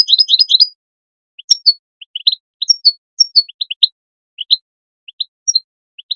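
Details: European goldfinch calls used to stimulate other goldfinches to sing: clean, high twittering chirps and short tinkling notes in loose groups, a fast burst of trilled notes at the start, then spaced double and triple chirps; no other sounds.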